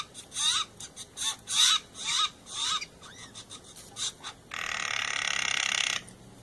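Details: Steller's jay family of male, female and grown chick visiting in the morning, making strange mellow noises: a quick run of harsh, scratchy notes about three per second, then a long rasping buzz lasting over a second.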